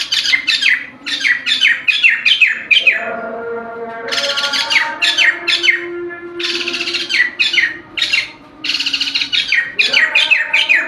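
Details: White-crested laughingthrush song, loud and energetic: rapid strings of sharp descending chirps, dense grating bursts, and brief quieter gaps. A low humming tone persists in the background.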